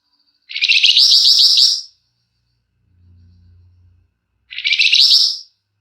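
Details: A flamboyan singing long, dense phrases, suited as a lure. Two rapid, buzzy, trilled bursts are separated by a soft low hum.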